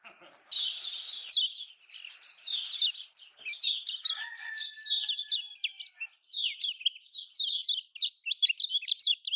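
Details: Lemon-bellied white-eye, known locally as kecial kuning from Lombok, giving a prompting song for idle caged birds: continuous high scratchy twittering with quick sweeping notes over steady hiss, a faint lower whistle near four seconds.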